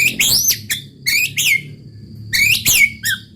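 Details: White-rumped shama in roll tembak song, meant to make rival birds agitated: loud, high, rising whistled phrases in separate bursts about a second apart, over a low background hum.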